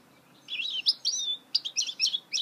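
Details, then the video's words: Song of a goldfinch hybrid: rapid high warbling with buzzy, sliding notes, then a string of sharp separate chirps, delivered continuously in a quiet space. "Chant mulet chardonneret تغريد هجين الحسون"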